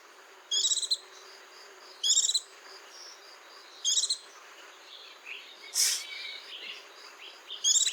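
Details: Song of a white-eye: a run of brief, high, rattling twitter phrases roughly every one and a half seconds, with a louder rushing note midway and a constant pulsing background drone.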